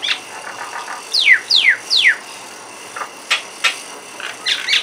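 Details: A pair of mynas perched on a window grill, calling: three quick descending whistled swoops in a row, then short clicky chirps and bright chattering notes, with a steady faint background hiss.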